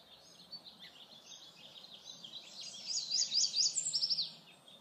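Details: A Yellow Warbler at Oso Flaco Lake, near Guadalupe, California, sings a quick, bright burst of high, sweet slurred notes that speed up toward the end, over a steady background hiss.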